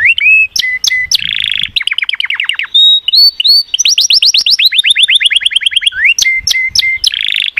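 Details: Singing canary delivering a varied song: flat whistled notes, buzzy rolls, fast series of descending chips, a steady rapid trill of repeated sweeps, then sharp clicks and short level whistles.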